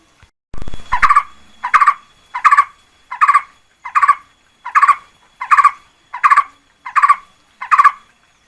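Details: Red-whiskered bulbul used as a lure, 2024: after a short knocking noise, ten repeated warbling phrases of quick rolling notes follow at a steady rhythm, roughly one every 0.7 seconds.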